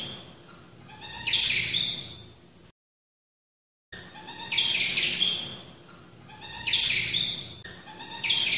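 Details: Black-throated finch calling: a run of high, clustered chirps that swells and fades, repeating roughly every two to three seconds, each led by a faint lower note, with one silent break.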